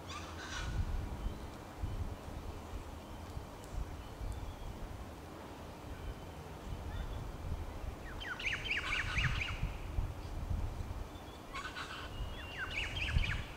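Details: New Holland honeyeater perched atop a Banksia at the Australian National Botanic Gardens in Canberra, giving short bursts of harsh, chattering calls over a steady low rumble of wind.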